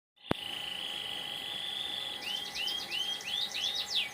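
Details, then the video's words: Canary singing in the morning: after a sharp click, a steady high trill holds for two seconds, then a run of quick rising whistled upslurs repeated about every half second, over a constant low hum. "Canary singing white morning cofe.."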